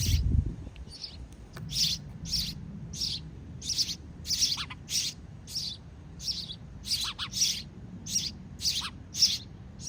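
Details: Begging sparrow nestlings being fed by their parents give a run of sharp, high chirps spaced evenly, a few fainter lower notes mixed in, with soft low hum underneath.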